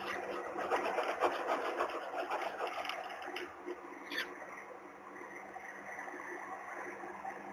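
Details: Rough rubbing and scraping noises over a steady electrical hum, fading to a quieter hiss in the second half, with no animal call audible.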